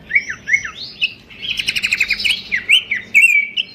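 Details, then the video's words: Melodious pelanduk semak babbler song, played as a master for training songbirds: two or three downslurred whistles, then a dense buzzy rattling trill and a sustained whistled note, over a low background hum. "goyangan merdu khas burung pelanduk semak"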